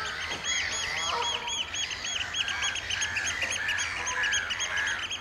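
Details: Oystercatchers in a piping display at Amwell Nature Reserve in April. Shrill, arched piping notes repeat rapidly and fairly evenly, about two per second, with a second bird's overlapping calls running alongside.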